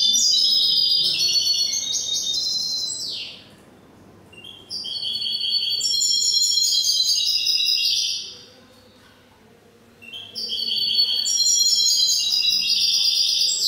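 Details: Caged European goldfinch or hybrid at an indoor finch singing competition in Cádiz, Spain, 21 April 2019, delivering three quick, liquid, twittering phrases of about three seconds each, separated by short silences, with high tinkling trills and a descending slur.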